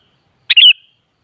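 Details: Sooty-headed bulbul (kutilang), played to provoke other kutilang into answering and singing: a single short two-part phrase, a sharp stacked note then a bright warbled slur fading into a thin tail, on a silent background.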